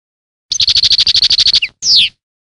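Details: European goldfinch singing: a fast train of about twelve bright, even chirps around a high pitch, followed by a short sweeping descending whistle.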